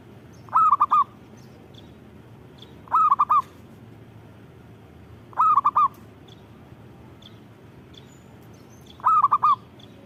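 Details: Vigorous perkutut song from a zebra dove: four bursts of quick, bouncing four-note coos, evenly spaced about two to three seconds apart, over a quiet low-frequency hum.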